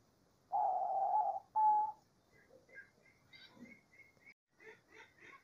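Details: In nature, a Diamond dove gives two smooth, sustained coos, one long and one shorter. Scattered higher chirps and twitters from other birds follow.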